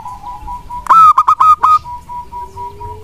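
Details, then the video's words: Local wild zebra dove song used as a lure for lazy doves to answer. Quick cluster of five rich, bubbling coos lasting under a second, framed by a faint steady hum and a gently rising tone afterward. "perkutut lokal alam GACOR pancingan kutut malas pun langsung nyaut dan rajin bunyi."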